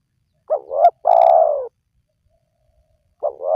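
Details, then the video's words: Spotted dove call, played to lure wild doves into calling. One full phrase of two quick upswept notes and a drawn-out descending coo is heard, and the next phrase starts at the end. The background is silent. "Jitu 100% Pemancing Burung Tekukur Yang Malas Bunyi,Langsung Rajin Bunyi"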